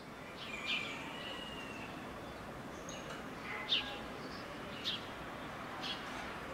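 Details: Possibly a white-rumped swallow (identification uncertain) giving faint, high chirps, a few short notes about a second apart, with one drawn-out twitter, over steady background hiss.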